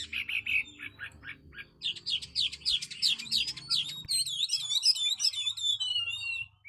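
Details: Chinese hwamei, a tame, big-bodied competition bird with a fanned tail, singing on the competition stand: quick repeated clear notes, then a rush of varied high whistled and warbled phrases. Faint low background hum.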